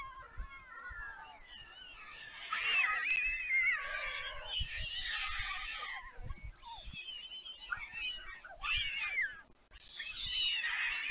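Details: White stork young at Leemansmolen, Vriezenveen, Netherlands, 11 July 2022, siblings back at the nest after flying out as a parent arrives, then feeding: overlapping mewing, wavering harmonic wails, rising and falling, almost continuous with brief gaps.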